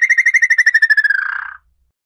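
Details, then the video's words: Red-legged tinamou song used as a lure: a rapid run of about twenty whistled pulses that slowly drop in pitch, ending in a blurred, lower tone, then silence. "canto para atrair lambu pé vermelho"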